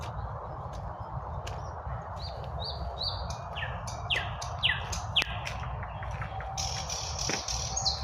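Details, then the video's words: Several birds singing at midday in spring: quick high chirps and short descending whistled notes repeated in lively overlapping bursts, with a steady low rumble of highway traffic underneath. "BIRDS SINGING- REJOICING IN SPPRING"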